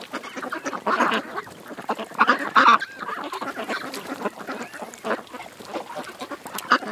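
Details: A group of ducks on a creek, calling in raucous spurts: loud, honking quacks cluster around the first and third seconds, with scattered quieter chatter between.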